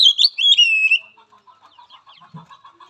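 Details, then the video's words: Oriental magpie-robin in a training recording for a weak-spirited bird, opening with bright whistled notes that slide downward for about a second, followed by a fainter run of rapid, chattering notes. "Latihan Suara Terapi Kacer Lemah Mental"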